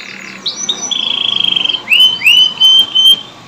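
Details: Canary song meant to stimulate canaries that have gone quiet: a few short notes, a long buzzy rattle, then three loud rising whistled notes.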